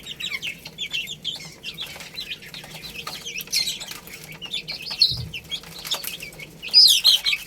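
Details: Chicks eating rice and playing peep in high, thin notes, quieter at first and growing louder and busier toward the end, with a brief flutter of wings and pecking clicks.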